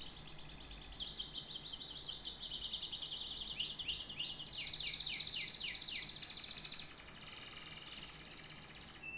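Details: Canary singing a long varied song of rapid trills and rolling phrases, with fast repeated downward sweeps in the middle and a buzzy high section, over a faint steady hum.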